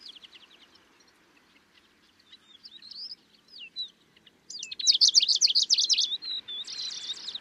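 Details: Middendorff's grasshopper warbler singing in Kaohsiung, Taiwan, 25 May 2023: soft scattered high notes and twisting whistles build to an energetic, very loud rapid chatter of sharp trilled notes near the end.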